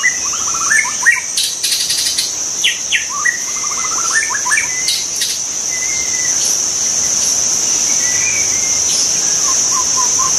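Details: White-rumped shama song in the wild, busy run of whistled notes, quick trills and slurs in the first half, then sparser phrases, over continuous shrill insect noise.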